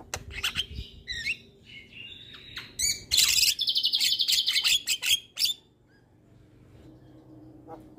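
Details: Javan myna song used as a training recording to coax lazy birds into singing: bursts of sharp chirps and rasping notes, then a loud buzzy, harsh stretch before fading to quiet.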